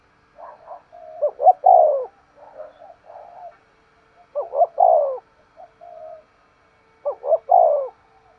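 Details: Spotted dove giving intense 'thúc gù' coos. Three phrases roughly every three seconds, each of two brisk hoots and a sustained falling coo, with quiet low murmurs in between.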